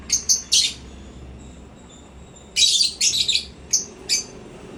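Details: African lovebird calling during playtime in a happy mood: a quick pair of sharp chirps, a pause, then a burst of rapid, harsh squeaky chirps in clusters.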